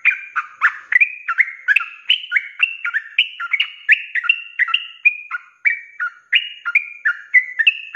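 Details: Energetic 'ropelan' song of a sooty-headed bulbul (trucuk) used as a training recording for cage birds: tightly packed whistled notes, some rising and some falling, run together in an unbroken chatter for eight seconds.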